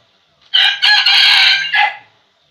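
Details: A red junglefowl rooster kept as a decoy crows once to draw wild roosters. The hoarse crow opens with a short note, swells into a long strained middle and ends with a short dropping tail.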